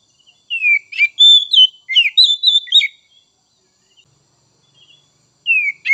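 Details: Oriental magpie-robin song to stimulate untrained young and spotted 'trotol' birds: a lively run of varied whistles, slurs and sharp chips lasting about two and a half seconds, then quiet before a new phrase begins.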